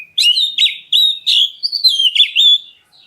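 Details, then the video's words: Black-breasted Oriental magpie-robin calling to prompt other birds to reply: a rapid, unbroken run of bright whistled notes, some rising, some slurred downward, with clean high overtones and no background noise. "KACER DADA HITAM MEMANGGIL, BURUNGMU LANGSUNG NYAUT!"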